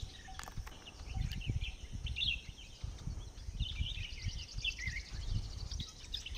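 Red-whiskered bulbul giving bright, chirpy warbled phrases in quick bursts, over a steady low rumble of background noise.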